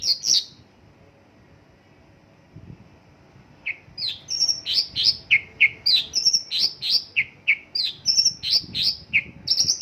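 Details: Mongolian lark song of the "isian lokalan" type, laced with local bird phrases. It opens with one short chirpy burst, then quiet, then a rapid stream of sharp chirps and twittering slurs at about three notes per second.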